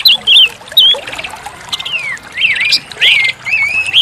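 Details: Orange-headed thrush, a caged songbird, singing to coax a silent bird back into song: short, clear whistled phrases that rise and fall, broken by brief pauses and a few harsher notes.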